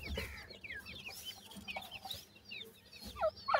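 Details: Francolin (teetar) chicks at feeding time give quick, high, downward-sliding peeps in an uneven stream. A few louder squeaky chirps come near the end over a soft low rumble.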